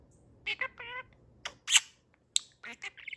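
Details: A pet budgerigar, a male kept for about a year, chatters in rapid, high, scratchy bursts, mimicking human phrases like "excuse me, drink water" with whistled and buzzy syllables.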